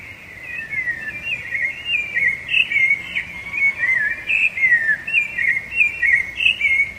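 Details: Rufous-bellied thrush song, which marks territory and attracts females: a continuous stream of clear, warbled whistled phrases, each short and slurred up and down, following one another almost without pause in a lively, varied sequence.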